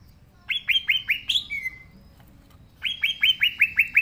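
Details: Green leafbird in lively song: a phrase of rising whistled notes ending in a higher note and a drawn-out lower whistle, then after a pause another quick series of six upslurs.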